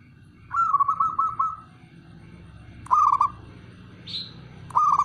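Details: Male zebra dove, a local perkutut, calling: three rolling, trilled notes, each about a second long or shorter, spaced a couple of seconds apart, over a low background hum and faint repeated high pips.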